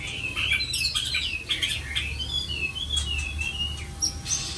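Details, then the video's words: Captive White-rumped shama at a home in Vietnam singing a gentle, melodious song: a long chain of wavering whistled notes, rising and falling steadily, with a few sharp clicks and a steady low hum beneath. "chòe lửa tiếng hót êm ái"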